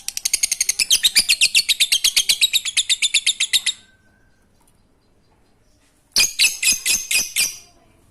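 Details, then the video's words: Lovebird singing ngekek, a song meant to encourage silent lovebirds: almost four seconds of rapid, high, rhythmic chatter, a pause of quiet, then a shorter burst of the same harsh notes. "Lovebird ngekek Receh Mantap Untuk Pancingan Lovebird malas bunyi"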